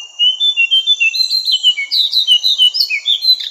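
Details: Training song of a Javan cochoa, meant for songbird tutoring: rhythmic whistled phrases, some steady and some dropping in pitch, delivered about three per second above a faint high continuous tone.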